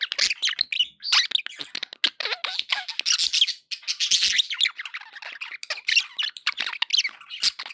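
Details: Pet budgies sounding happy, a continuous scratchy warbling chatter mixed with clicks and high chirps, barely pausing.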